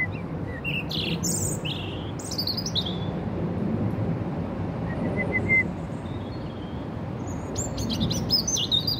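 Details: High-pitched, piercing robin phrases open and close this stretch, a female robin arriving for food in the park during rain, with a quiet gap between and steady low rain and traffic hiss throughout.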